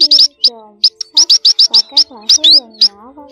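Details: Males and females of a munia flock, a recording used to lure birds into nets: bright high chirps in fast clusters, one rising slurred note near the end, over low droning and gliding tones.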